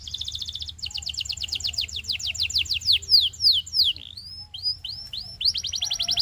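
A Belgian canary sings high, rapid rolling trills, then a run of sweeping whistled slurs before breaking back into a fast, buzzy trill.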